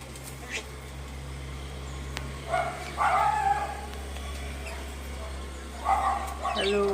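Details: A myna mimics human speech in two short, voice-like phrases a few seconds apart, saying words like "hello", "how are you" and "good morning", over a steady low electrical hum.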